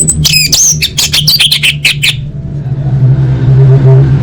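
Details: Orange-headed thrush singing, a lure recording for caged birds: a dense two-second run of quick varied whistles and buzzy, high-pitched notes, then the song stops and only low droning noise remains.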